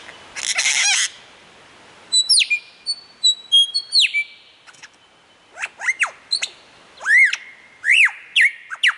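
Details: A lyrebird on a mound near Warburton, Victoria, mimics several other birds: a harsh rasping burst, clear high whistles, then quick steeply arching chirps repeated in bursts.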